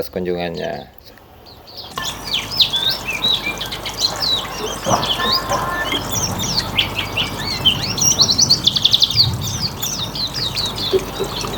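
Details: Hume's white-eye in its riwikan style, used as a lure for other birds: after brief music and speech, rapid, high, busy twittering chirps pour out in a dense, irregular stream over a steady background hum.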